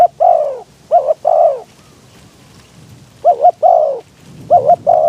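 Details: Spotted dove decoy calling to bring in wild doves, windy conditions: loud, close coos, a short double note leading into a longer falling croo, three phrases with background rustle.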